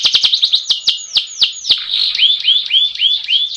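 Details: Canary rolling song used as a tutor recording to get other birds singing quickly: rapid downward-sweeping whistled notes, about three or four a second, easing into softer upturned chirps near the end.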